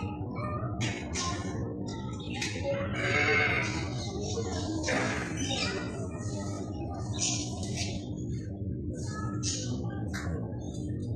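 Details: Macaws in Sharjah give harsh, raspy squawks in short bursts every second or two, over a steady low rumble with faint music and voices.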